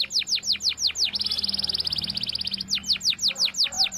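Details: Canary walnut song used for training young canaries: repeated descending whistled sweeps about three per second, a fast buzzy trill in the middle, then the sweeps return.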